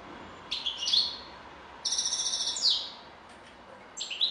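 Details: Separated bursts of European goldfinch song: a short twittered phrase, a silvery buzzy trill about a second long, then another brief chirp, with quiet gaps between.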